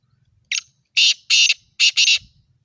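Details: Black francolin (kala titer) calling in a Sindhi-style voice: a short harsh note followed by two pairs of loud, grating, broadband bursts, each about a quarter second long, over a quiet background.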